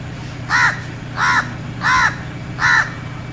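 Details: Crow calling: four harsh, arched caws spaced roughly two-thirds of a second apart, each brief and hoarse, over a steady low background hum.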